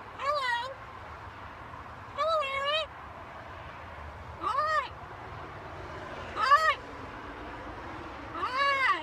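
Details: Macaw parrot talking, giving five rich, nasal, harmonic calls that rise and fall, repeated roughly every two seconds with quiet gaps between them.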